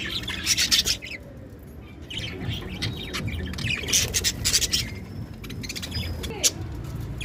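Budgerigars chatter in quick, scratchy chirps and squawks, with bursts of high twittering.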